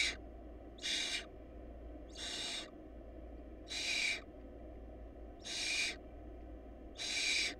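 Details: Barn owl nestlings, short of food, utter six rasping hiss bursts, each about half a second, at irregular gaps of one to two seconds over a low hum.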